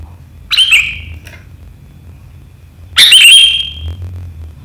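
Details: Sooty-headed bulbul giving sharp riwikan chatter on 7 April 2023: two loud, piercing bursts of slurred, ringing notes, about two and a half seconds apart, over a quiet low hum.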